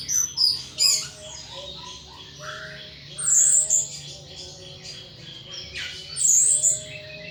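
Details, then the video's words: Caged thrush singing ngeplong: loud whistled bursts separated by softer warbled passages, with several strong high chattering phrases spaced a few seconds apart. "Burung Anis "Ronggeng" Ngeplong Mabok berat"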